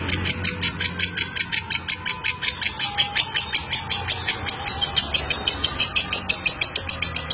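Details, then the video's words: Chatty caged lovebird performing a long 'ngeklek', a competition-style chattering song used to prompt other lovebirds: rapid, shrill, evenly spaced chirps of about three per second run unbroken throughout, brightening toward the end, with a faint low hum underneath. "Love Bird Cerewet Ngeklek Panjang Juara !!! Pemancing Love Bird Agar Mudah Ngeklek"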